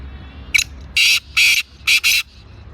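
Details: Black francolin in Sindh, Pakistan, giving its harsh rhythmic call: a brief clipped note, then two rasping drawn-out notes, then a quick closing pair, all loud against a quiet low hum.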